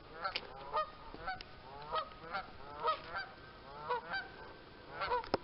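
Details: A large gathering of Canada geese alongside ducks, giving repeated nasal honks roughly every half to one second, several birds overlapping, over a constant noisy background.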